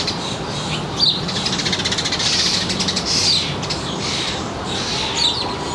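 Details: Feeder birds in a northern New Jersey suburban backyard, July 3, 2022, late afternoon, with fledged young about: sharp high chirps and a rapid rattling flutter of short notes, set against constant background hiss.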